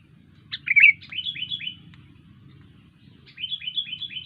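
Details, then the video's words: Sooty-headed bulbul in full song. A loud twisting note leads into a string of quick, clear, downward-slurred whistles. After a pause, a second run of similar descending notes follows over a quiet low background hum. "Burung kutilang gacor"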